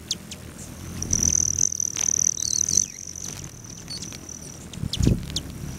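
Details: Several sharp, high ticking chips around a sustained thin, high-pitched buzz. Recorded at hummingbird feeders on a lodge patio near Great Sand Dunes National Park, Colorado, on a late-July morning. A low rumble of background noise sits underneath.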